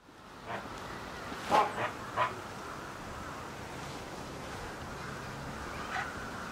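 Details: A Chilean flamingo chick three days after hatching, at a zoo, 10 October 2015, gives a few short, thin, mid-pitched cries, three close together and one later, over a steady hiss of background noise.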